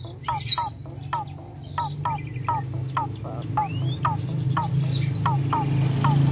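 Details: Kept Javan pied starling pumping a rare isian: short, clipped notes that fall in pitch, repeated roughly every half second, with an occasional upslurred whistle, against a constant low droning hum that grows louder toward the end.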